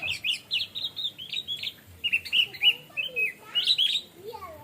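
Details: Orange-headed thrush (anis merah, punglor) giving relaxed 'plong santai' song: a steady string of high, chattering whistled notes that rise into a brighter flourish. Fainter lower slurred calls sound underneath.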